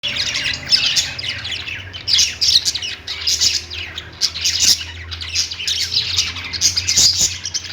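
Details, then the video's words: Lovebirds singing and chirping: dense, continuous high chatter of overlapping squeaky chirps and short squawks, swelling in bursts every second or so, with occasional sharp clicks. "Lovebird Singing & Chirping sounds"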